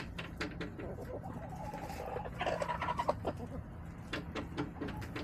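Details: Backyard hens recorded by a chicken camera on March 24, 2024, giving a short run of soft, harmonic clucks midway through, over a steady low hum with scattered clicks and knocks.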